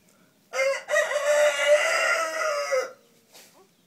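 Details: Blue Wyandotte hen with her baby chicks: one drawn-out, harsh, nasal call lasting about two seconds, rough and slightly wavering, then near silence with a brief faint sound at the end.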